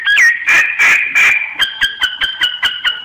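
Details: Decoy myna calls used in bird surveys: a rising-falling whistle, then loud harsh grating bursts, followed by a quick series of clear paired whistled notes roughly every quarter second.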